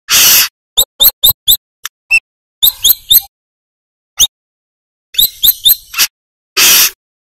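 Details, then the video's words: Brown-throated sunbird, the manggar type, singing actively in a master recording used to train other birds. Sharp, high, clipped chirps come singly and in quick runs of three or four, with several harsh hissing bursts at the start and end. "Suara Asli Burung Kolibri Kelapa Gacor | Masteran Kolibri MANGGAR"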